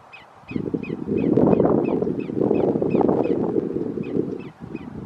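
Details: Greater yellowlegs at Roxbury Park, Meggett, South Carolina, recorded 1/5/2019, repeating short piercing whistles about four per second, partly buried under a loud roar of wind that swells after the first half second.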